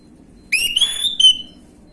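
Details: Orange-headed thrush, gamblingan-style lure song meant to provoke a quick response; a single phrase of a clear upward-sliding whistle followed by a brief sharp note, over a low steady hum.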